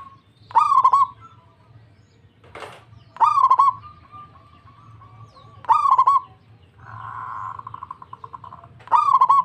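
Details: Local zebra dove answering immediately with repeated stuttering coos, four loud rolling phrases about every two and a half seconds, broken by a short rasping noise and a steady purring trill.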